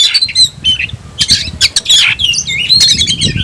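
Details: Caged oriental magpie-robin (kacer), tayoraky variety, singing a varied, loud song of whistled notes and harsh buzzy bursts, with fast slurred phrases and short rasping squawks.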